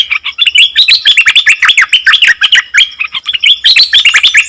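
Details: Continuous nok dok taeng song said to baffle wild birds, a quick stream of high twittering, slurred chirps and short rising and falling whistles delivered at about three notes per second without a break.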